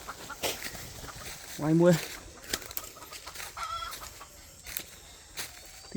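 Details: Red junglefowl in the wild with a deep, hoarse voice, recorded 3 May 2025: one brief, low, harsh call in the middle over steady background noise and faint clicks.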